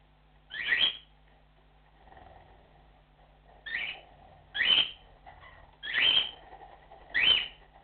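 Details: ['Repeated cockatiel flock call, five bright rising whistles coming roughly every second or so, with softer murmurs between them and a constant low hum indoors.']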